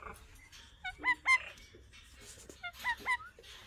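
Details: An Alexandrine Parakeet, one of several pet talking parrots sitting together, talks in two quick phrases of clipped, nasal, word-like syllables. Each phrase ends in louder rising-and-falling notes, about two seconds apart, over a faint hiss.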